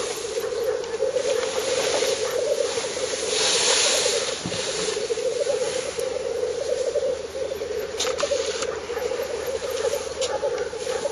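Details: Many black grouse displaying at a northern Finnish lek on 30 April 2011, 50 to 70 metres away, camera recording: unbroken low rolling bubbling, a louder hissing swell partway through and a few short sharp hisses.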